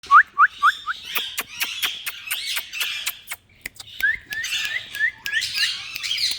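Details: Pet green Indian ringneck parakeet talking: a run of short rising whistled notes, then harsh broadband chattering bursts, a brief pause, and more rising whistles mixed with scratchy chatter.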